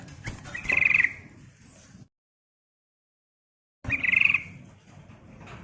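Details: Yellow-vented bulbul singing to lure and excite other birds: two short, bright, gurgling phrases separated by a pause, over steady low background rumble.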